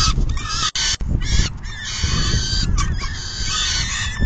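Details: As a female peregrine falcon feeds at the nest in June 2022, scratchy raspy calling is cut by two sharp dropouts early on, then continues over deep rumbling wind.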